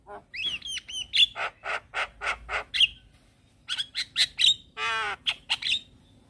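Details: Singing black-winged starling, head-bobbing while it sings: clear whistled upslurred notes, a run of harsh buzzy squawks, a pause, then sharp chips and a nasal rattling note among more whistles.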